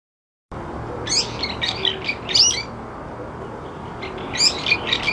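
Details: A brown-eared bulbul, a local resident bird described as the noisiest in the neighbourhood and often calling to others, gives loud, sharp, squeaky notes in two bursts, high and slurred, over a low steady hum.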